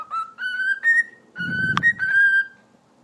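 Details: Pet cockatiel kept indoors, which has learned to talk and whistle. Clear whistled notes hold steady, then step up in pitch, with short gaps between phrases. A brief low rustle and a sharp click come midway.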